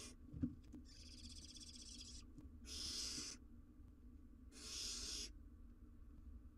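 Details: Barn owl owlet, wild, filmed on a live cam while trying to eat an oversized jird, gives three rasping, noisy hisses, each under a second or so, with short silent gaps and a soft background hum.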